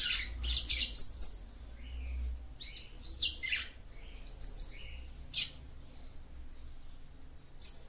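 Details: Female seedeater calling to stimulate a male: bursts of sharp, high chirps and thin whistled notes, some buzzy, loosely spaced over several seconds, with a steady low hum behind.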